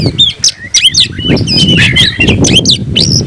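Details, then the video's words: Oriental magpie-robin singing excitedly with tail fanned, challenging a rival: rapid sliding whistles and sharp chips over steady low rumbling and rustling noise. "kicau burung KACER‼️gacor buka ekor dongkrak emosi panggil lawan tarung"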